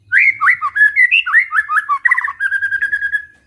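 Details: Village white-rumped shama in lively full song: a rapid, continuous stream of rich warbled whistles, rising and falling notes packed closely together, ending on a rapid repeated trill and a steady drawn-out whistle.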